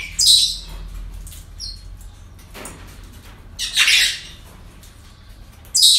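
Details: Parrots at a breeding centre give harsh, high squawks in three bursts, near the start, around four seconds and at the very end, with faint chirps between.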